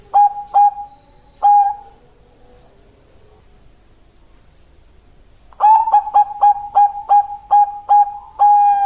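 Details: Bangkok-type zebra dove, a female calling to a male, used as a lure and master song for birds. A few short rolling coos open, a pause follows, then a fast, even run of about ten bubbly cooing notes ends on a longer note.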